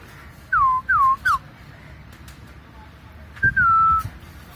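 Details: Pet cockatiel producing three quick downward-sliding whistles. After a pause comes one longer, steady, level whistled note, in a quiet indoor setting.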